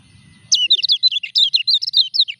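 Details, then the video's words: Common iora in moult delivering a rapid, sparkling phrase of looping high whistles, each note bending up or down, preceded by faint low rumble. "KECIAL KUNING NGURAK TETAP EKSIS"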